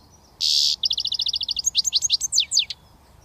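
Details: Just starting to whistle, a young British goldfinch opens with a harsh buzzy note, then a fast even trill that turns into high, sweeping chirps, all within three seconds.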